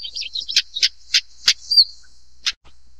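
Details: Stonechat calls: quick sharp clicking notes about every third of a second, with a thin whistled note between them and a steady high hiss behind.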